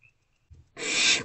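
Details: A single long, harsh, breathy hiss from barn owlets in a nest box at night, 2 March 2024, preceded by a faint soft bump.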